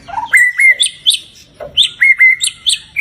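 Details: White-rumped shama singing as a lure to draw a pet shama into song and agitation: crisp whistled notes, each sweeping up then holding level, paired with sharp high chips, in quick bursts of three to four notes.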